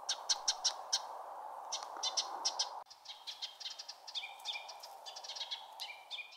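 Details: Ruby-crowned Kinglet gives a long, rapid chatter of short, high, dry notes in uneven bursts over steady hiss; this chattering series is an alarm call, sometimes also used by females.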